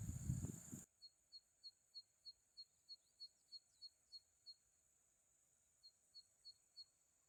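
Zitting cisticola giving sharp, high 'zit' notes about three per second in a long series, then a brief pause and a shorter run. A steady high insect-like hiss runs underneath.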